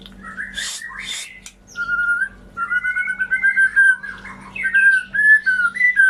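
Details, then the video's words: Song of a white-rumped shama used to restart birds that stopped singing: two harsh noisy notes, then long steady whistled phrases wavering around one pitch, with a faint high thin whistle above; hum throughout. "Pancingan Murai Macet Bunyi, Bisu, Kurang Gacor atau Ngedrop"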